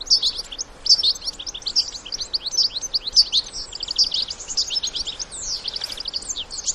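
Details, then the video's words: Wild European goldfinches, adults with their young, singing and twittering: dense runs of high, quick chirps and tinkling notes that pour out almost without pause, several birds overlapping. "الحسون وصغاره في الطبيعة مع تغريد وبتبتة خلوية"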